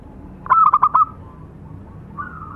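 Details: A local zebra dove, one of a tutor pair of male and female birds, gives a single quick burst of four clipped, bubbling notes followed by a faint, drawn coo.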